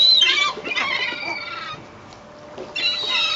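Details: Rowdy seagulls being fed bread from a boat's stern deck at Fleetwood Docks on a sunny day, 7/8/2012; several harsh, squealing, overlapping calls fill the first second and a half, then a short lull before another loud shrill burst.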